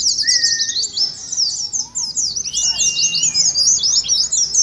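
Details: Oriental white-eye twittering in ngeriwik style, wild-type birds, used to prompt caged white-eyes: rapid high chattering with a long level whistle early and a descending slurred whistle near three seconds.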